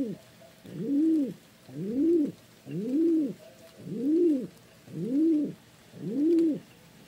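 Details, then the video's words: Soft, deep pigeon coos repeat evenly, about once a second. Each note swells up and falls away, making a regular, rhythmic cooing in quiet surroundings. "เสียงนกพิราบ Pigeon Sound"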